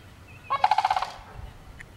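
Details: One short burst of a sandhill crane's trilled, gurgling rattle: about six quick pulses in half a second, then quiet with a faint click.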